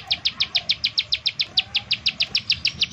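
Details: Quick-fire 'nembak' call of a bar-winged prinia, meant to lure other prinias into song: a tight series of bright, high ticks repeated roughly six times a second.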